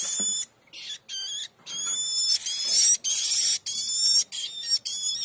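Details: Hand-reared woodchat shrike chicks, fed mealworms, beg with harsh, scratchy, high-pitched calls in rapid bursts, roughly twice a second, with brief pauses between.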